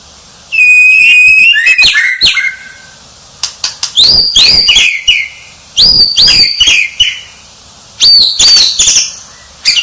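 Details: White-rumped shama, described as a champion, singing in loud bursts of varied whistles: a sustained clear note, then rich, chattering phrases with short pauses between them.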